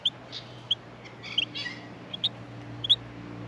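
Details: Sparse, piercing high chirps from Australian miner young in the nest at feeding, mixed with a brief burst of softer, rougher chatter and a low steady hum.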